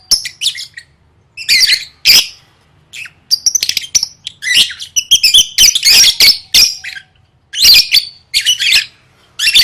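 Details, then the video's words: Lovebird song for singing-competition training: energetic chattering, clusters of sharp high chirps and squeaks in rapid sequences with short pauses between phrases. "Suara Burung Lovebird III Latihan Gacor Gantang Siap Juara"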